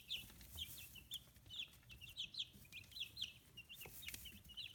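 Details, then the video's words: Chicks fifteen days old, newly feathering, kept free-range in Hiroshima Prefecture, Japan; rapid high peeps about one per second from several birds, with clicking and tapping noises scattered through the recording. "Chicks Chirping Sounds"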